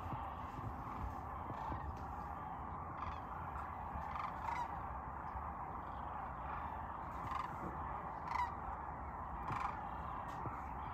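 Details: Cranes on spring migration in Nebraska: a dense, distant chorus of many rolling, trumpeting calls that blend into a steady murmur. A few louder calls stand out, over a constant low rumble like wind.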